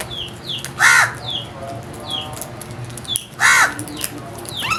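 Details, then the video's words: Two loud, raspy crow caws about two and a half seconds apart, each a broad harsh burst, over a steady backdrop of thin descending whistles from other birds and low hum. "Very strange Crows Sounds | Amazing noise made by Crows"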